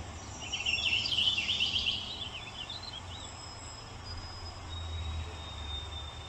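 A purple finch gives a quick, bright warbling phrase of about two seconds, tumbling up and down, over a steady low hum and faint background noise.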